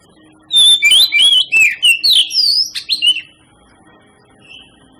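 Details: Kacer, the Oriental magpie-robin, singing as a lure to prompt other birds of its kind to pour out their repertoire: loud, fast whistled phrases with rising slurs and scratchy notes for under three seconds, then near silence with one soft whistle.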